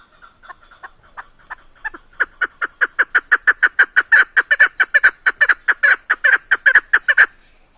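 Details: Female Chukar partridge (keklik) kept for hunting in Tajikistan: a chuckling series of harsh clucks starts slow and soft, then speeds up and grows louder into a steady, rapid rhythm of about two to three notes per second.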